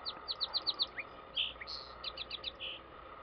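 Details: Song sparrow singing at Yaquina Bay, Oregon: a quick run of sharp, evenly spaced high notes, then a buzzy trill and a tumble of clipped chips ending in a short buzz, over a faint steady hum.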